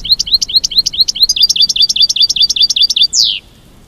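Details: American goldfinch, given as a mating call: a run of about twenty short, bright, rising twittered notes repeated rapidly at roughly two per second, ending in one longer downslurred note, over a quiet background.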